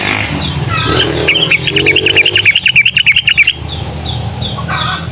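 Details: Morning song of a yellow-vented bulbul, used to coax young bulbuls to call: a quick, bouncy string of about a dozen clipped notes, with constant high-pitched chirping from other birds and low background rumble.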